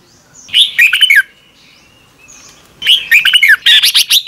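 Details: Morning singing by a red-whiskered bulbul, recorded as lure-bird sound for training: two dense phrases of bright, quickly modulated whistles, the second longer and more varied, linked by a thin steady tone.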